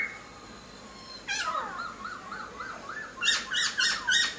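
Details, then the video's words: Laughingthrush singing actively: a soft rolling series of looping whistled notes, then several loud, harsh bursts in quick succession. "POKSAI HONGKONG GACOR DOR"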